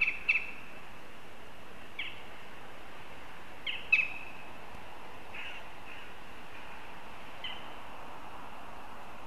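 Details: Northern goshawks chattering in Riga on 22 September: short, sharp, high calls at irregular intervals, about five notes over nine seconds, some with a brief downward trail, over a quiet, steady background hiss.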